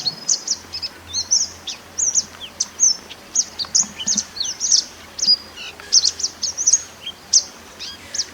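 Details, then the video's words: Natural mountain white-eye song meant as a training master for other birds: continuous high twittering of brief sharp whistles and quick slurs, delivered in dense clusters roughly every half second against a faint droning background. "MASTERAN SPESIAL MANTENAN GUNUNG ASLI ALAM"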